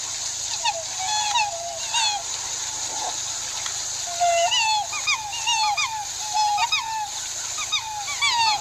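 Several black swans trade soft, bugling notes that bend up then down, overlapping in a loose chorus. A steady high insect-like drone runs underneath.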